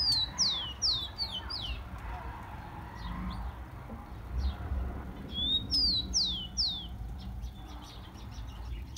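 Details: Rufous-collared sparrow song used to fire up captive tico-ticos: a run of three or four bright descending whistled slurs, a pause with soft chips, then the phrase repeats with a lead-in whistle.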